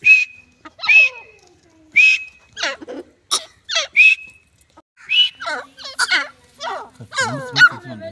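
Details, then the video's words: Grey francolin (Dakhni teetar): several clear arched whistled notes about a second apart, then a jumble of sliding squeaks and harsher notes toward the end. "Teetar voice # teetar ki awaz # gren francolin voice"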